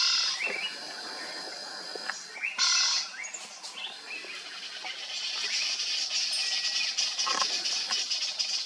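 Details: Dark-fronted babblers calling with short, high chirps and rising notes over a dense, hissing background of insects or other birds.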